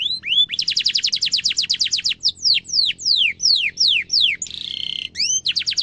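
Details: Canary used as a singing tutor for young and adult canaries: a rapid rolling trill followed by slower descending whistled notes, a short buzzy tone, then quick upswept whistles again.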